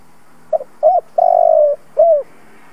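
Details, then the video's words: Old lure spotted dove cooing to stimulate caged doves: two quick short notes, a curved note, a drawn-out even coo and a falling closing note, one full phrase in quiet surroundings. "Cu gáy mồi siêu kích bổi, giọng hay kích là gáy hiệu quả 100%. Tiếng chim cu gáy kích bổi"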